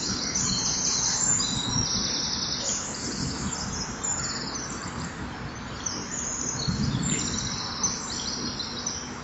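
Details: Common kingfisher at its nest wall, camera recording, 10 September 2011 early morning, returning with a feeding fish; dense runs of piercing, buzzy high chirps repeat several times a second, with low rumbling noise beneath.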